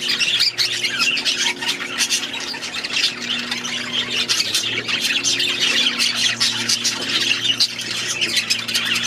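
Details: Budgerigars calling together in an aviary: dense, continuous high chattering and squawky warbles with overlapping voices and no pauses, plus a faint low steady hum underneath.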